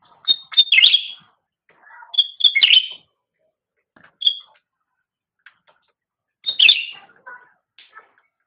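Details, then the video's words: Cucak rante singing, recorded as master training song for caged songbirds: bursts of sharp chirps and clear high notes repeated irregularly, with quiet soft twitters between phrases. "Suara Burung Cucak Rante"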